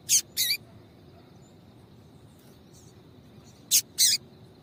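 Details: Female papa-capim seedeater calling to stir males into song: two pairs of short, sharp, bright chip notes, one pair near the start and one near the end, with quiet background hiss between.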